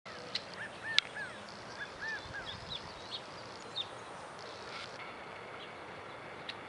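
California quail give soft, short arched notes, a few scattered over several seconds, over steady outdoor hiss with a couple of sharp clicks.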